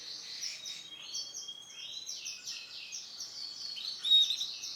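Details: Male canary, orange with black, delivering a continuous high song of rapid rolling trills that shift pitch from phrase to phrase, ending with a sharp louder note.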